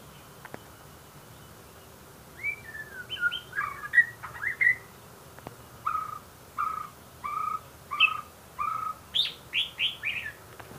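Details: White-rumped shama song: a jumble of warbled whistles, then a steady series of repeated mellow notes about twice a second, ending in higher rising whistles.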